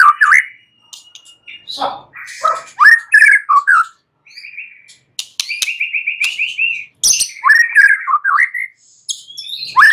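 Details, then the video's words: White-rumped shama singing at night, used as a lure recording to prompt other shamas to answer: rich whistled phrases sliding up and down, a fast rattling trill held near one pitch, then sharp high notes and upswept whistles. "Pancingan Murai batu MALAM HARI Auto NYAUT GACOR"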